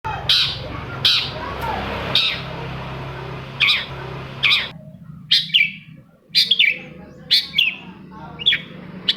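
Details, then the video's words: Long-tailed shrike song used as a lure to get silent shrikes singing: sharp high chirps and short downslurred notes in spaced bursts, later a quicker run of rising and falling whistles over a steady low hum. "TOETAN BURUNG CENDET INI COCOK BANGET UNTUK MENAIKKAN EMOS1 CENDET YANG MACET AGAR MAU BUNYI"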